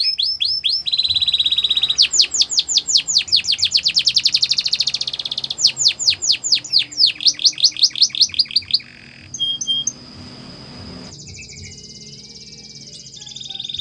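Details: Canary training song, Spanish Timbrado style: a fast metallic trill, dense rolling bursts and chopped series of notes, then a brief pause followed by thin, faint high tones.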